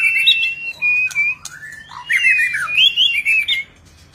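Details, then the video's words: Varied song of a White-rumped shama in display: clear level whistles, then rising and falling slurred phrases, ending abruptly before a short quiet, with a constant low hum underneath. "ลีลา นกบินหลาดง MURAI BATU GACOR White-rumped shama Display kích chòe lửa hót nhiều giọng บินหลาดง"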